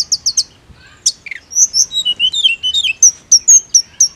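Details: Mountain leafbird giving quick high chips, then a run of slurred whistles that fall and rise, ending in sharp repeated notes.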